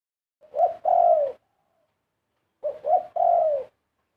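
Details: Zebra dove singing: two phrases, each a short soft note, a quick rising coo and a long, slightly buzzy, falling coo, separated by about a second of silence.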